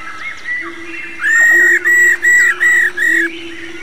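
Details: Aged wild female black-throated laughingthrush calling 'rò' to fire up males: soft notes over a steady low drone lead into five loud, grating, buzzy notes spaced evenly about a third of a second apart.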